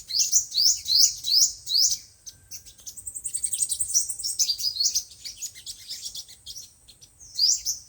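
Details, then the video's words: Sunbird song, five- and seven-colour types, used on a speaker to trap birds: a row of loud rising chirps about two per second, then a fast thin high trill, fading twitters and one last sweep. "Tiếng chim hút mật 5 màu và 7 màu"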